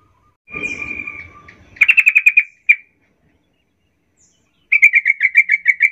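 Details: Sooty-headed bulbul sound used to provoke other bulbuls: a drawn-out whistled tone, then a quick string of clipped repeated notes, a single chip, silence, and another rapid series of bright repeated notes.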